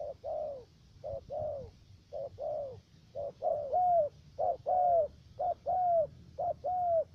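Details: Trapping decoy spotted dove from the U Minh area of Cà Mau, Vietnam, with a three-note voice, giving rhythmic low coos, paired short and long falling notes repeated roughly once a second and growing louder.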